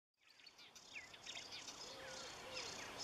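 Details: Marsh warbler song that fades in after a short silence, becoming a varied run of high chirps, short slurred whistles and trills. A few lower, drawn-out whistles sit beneath it.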